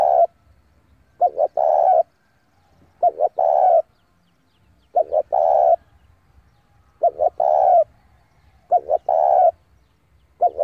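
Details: Spotted dove decoy calling rival birds in to fight repeats a steady coo phrase roughly every two seconds, each a pair of quick notes and a long held coo, five phrases in all.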